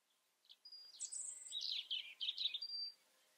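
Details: European robin with a rich, hurried phrase of high trilled and warbled notes, opening and closing with thin, level whistles, in a quiet setting.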